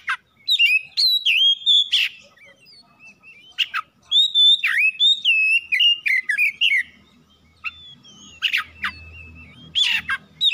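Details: Oriental magpie-robin song played to provoke other birds to sing: long sequences of clear whistles and wavering slurs, sharp chips between phrases, and a faint low hum in the background late on.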